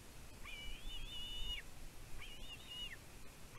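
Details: Young bald eagle in the Two Harbors nest, Catalina Island, California, 15 June 2023, nest cam, vocalizing about its mother bringing food. Two arched whistled cries rising sharply, holding level, then falling, about a second apart.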